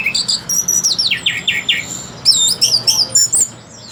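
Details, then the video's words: Orange-headed thrush in very melodious song: a run of clear whistled notes, several sweeping downward in a quick descending series, then a cluster of looping, upslurred whistles before the phrase fades into quiet hiss. "Kicauan anis kembang"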